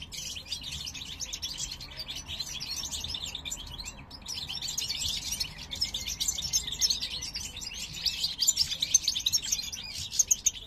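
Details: Captive parva goldfinch male singing to his mate beside a new nest, 2023 breeding season; a long unbroken stream of jingling, liquid chirps and trills, with a momentary dip near the middle before the warbling resumes.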